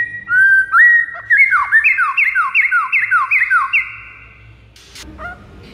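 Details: White-rumped shama song meant to draw in rival shamas: a rapid run of ringing whistles, each note slurring sharply downward, repeated more than twice a second for about three seconds, then fading to quiet.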